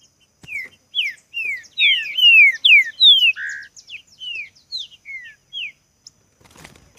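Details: Green-winged saltator in a singing contest, fiery and singing hard: a loud series of clear descending slurred whistles, repeated quickly for about six seconds, over faint high chirps from other birds.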